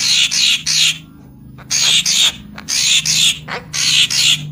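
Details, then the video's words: Harsh, hissing rasps from a Papuan magpie-robin lure, paired and repeated about once a second with short silent gaps, over a low background hum. "Suara Pikat Burung Murai Papua Full Gacor"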